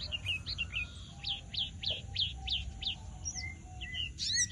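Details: Javan bush lark singing vigorously: scattered chirps, then a rhythmic series of six sharp downslurred notes at an even pace, followed by softer whistles and a final burst of buzzy twittering.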